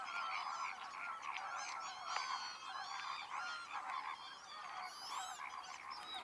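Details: A busy flock of greater flamingos at the Lagunska ribogojnica nature reserve on 4 January 2024 gives constant overlapping goose-like honks and gabbling nasal calls, with no pause across the whole stretch.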